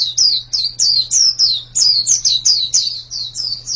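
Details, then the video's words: White-eye singing a fast run of high, sweet descending chirps, each note a bright downward slur, delivered in quick bursts with brief gaps; a faint steady low hum underneath. "Ini pasti pleci yang sangat super itu kicaunya"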